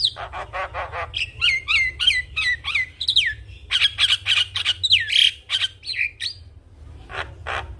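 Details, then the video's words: Javan myna delivering a full song with imitations: a long, varied stream of harsh squawks, clicks and downward-curving whistled notes, sometimes three a second, tapering into softer scattered chips. "Jalak Kebo Gacor Full Isian Semua Burung Jalak Langsung Ikut Bunyi"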